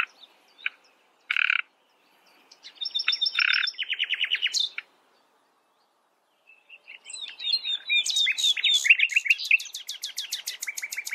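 A common nightingale sings varied phrases: isolated sharp notes, a dry rattling burst, a pause, then a long rapid series of loud, repeated chuckling notes.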